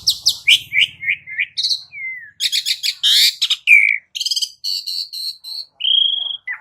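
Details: Asian pied starling (jalak uren) training song: a busy stream of chirps, slurred whistles, buzzy rattles and a long level whistle near the end, with faint low hum at the start.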